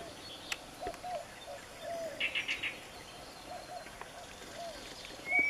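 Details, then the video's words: Early-morning birds on the Bill Williams River, May 17, 2014, recorded while paddling: repeated soft low whistles, a short burst of four buzzy chattering notes, and a rising high whistle at the end, over faint hiss. "Morning bird calls on the Bill Williams River"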